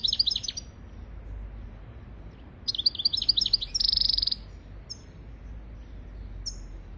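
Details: European goldfinch song for training goldfinches and canaries: a twittering phrase, then a longer sequence of liquid chirps running into a dry buzzy trill, followed by a few isolated thin notes.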